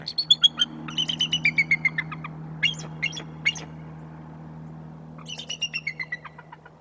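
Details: Bald Eagle pair on their favoured white pine branch, November 13, 2024: shrill piercing chatter, rapid series of high notes stepping downward, repeated in bursts with a short pause between, over a constant low hum.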